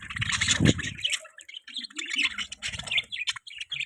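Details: Budgerigar chirping, busy and warbling, with chattering high notes over a murmur of lower sound and a loud low knock near the start.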